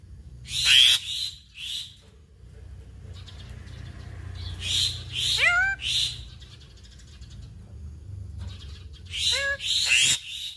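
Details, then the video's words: Black-winged myna from Indonesia, a mimic of other birds and even cats, singing in the full-fill gacor style: loud harsh bursts broken by sliding, cat-like wailing notes in short clusters. "Jalak Putih Gacor Full Isian"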